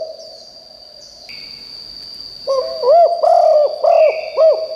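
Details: Cooing of a spotted dove used as a decoy for wild birds. After a quiet stretch, a phrase of about five hollow, arched coos follows. A thin steady whine runs throughout.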